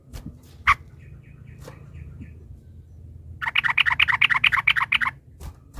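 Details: Sooty-headed bulbul delivering a long rapid song used as a lure to provoke rivals into singing. A few faint scattered notes precede a fast, even series of bright chattering notes lasting nearly two seconds.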